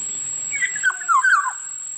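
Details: Black-naped oriole (kilyawan) giving one liquid, fluty phrase of short whistled notes that slide downward, lasting under a second, over a steady high-pitched hiss.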